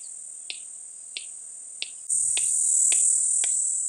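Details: Male red-crested korhaan in the African savannah gives sharp, dry clicks a little over half a second apart, speeding up slightly, over a loud, steady high insect drone.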